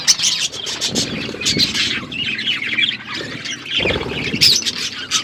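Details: Pet budgerigars chirping while feeding, overlapping squawks and warbling chatter in uneven bursts, mixed with rustling and scratching noises.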